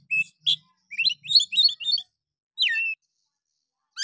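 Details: Oriental magpie-robin singing in the harsh 'nembak' style, used as a lure to provoke idle magpie-robins. Rapid run of high, twisting chirped notes, then a long slurred whistle falling and levelling off, with short pauses.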